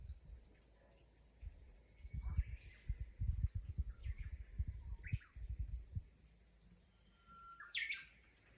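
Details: Several Japanese bush warblers in a countryside chorus, with water babbling below: scattered whistled notes and short warbled phrases from different distances, ending in a long clear whistle that breaks into a higher flourish.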